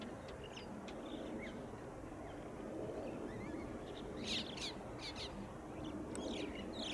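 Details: Growing flock of crested mynas living at one site, 12 January 2020, giving scattered short, sharp chirps and brief squeaky whistles over a steady low rumble of background noise.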